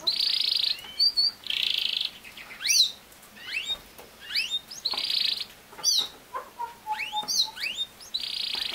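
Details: Canary song played for a young male canary caged alone away from its parents so he learns to sing: buzzy rattling bursts alternating with quick rising whistled sweeps and brief chirps.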